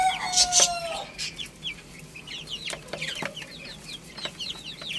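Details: Baby chickens feeding and playing. A brief louder squawk opens, followed by a steady chatter of many high, short, falling peeps and occasional light taps.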